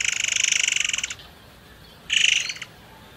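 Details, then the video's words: Forktail used as a lure to get other birds singing: a long rasping, rapidly pulsed buzzy burst lasting about a second, a pause, then a shorter, similar grating burst. "PANCINGAN MURAI AIR MANCUR BAHAN"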